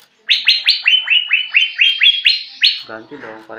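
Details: Greater green leafbird practising its song: a quick run of about eleven downward-slurred chip notes at a steady pace, then lower, rougher sounds.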